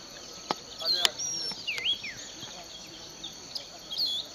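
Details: Unknown songbird in a sugarcane field at Bulechia, Western Kenya, December 2011: scattered high whistled slurs and a dipping note, interrupted by sharp clicks and knocks, over a steady insect drone.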